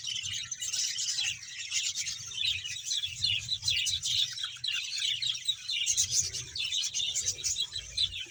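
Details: Many budgerigars, a colony of about a hundred pairs kept in Bahawalpur, producing an unbroken chorus of high, scratchy twitters and chirps, overlapping calls throughout, with a low hum in the background.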